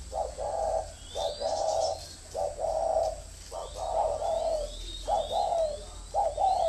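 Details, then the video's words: Caged spotted dove kept as a decoy in Ba Vì, Hanoi, Vietnam, cooing in thổ and còi styles: about six rounded two-part phrases, close together, with faint thin chirps of other birds higher up. "Thổ mổ còi - Còi coi thường Thổ"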